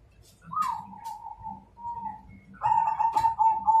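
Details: Majapahit zebra dove singing a challenge to fight: a rolling, trilled coo that starts with a brief higher note, then falls to a steady purr, pauses, and returns with a louder, fast-pulsed trill, over faint low rumble.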